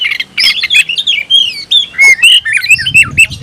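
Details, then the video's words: Oriental magpie-robin, a kept bird, singing to find a rival: a flowing stream of clear whistled slurs and scratchy notes, with a soft low rumble entering near the end. "suara burung Kacer mencari musuh"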